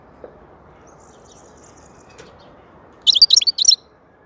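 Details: European goldfinch song, called soothing and excellent: after near silence, a rapid run of high, tinkling, liquid twitters lasting under a second.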